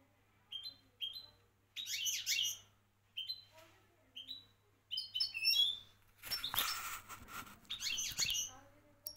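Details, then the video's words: Goldfinch song in a Moroccan champion style: short high whistled notes, then busy tinkling twitter phrases. A loud broadband rustle or knock briefly masks the bird midway. "حسون لغة بطل المغرب"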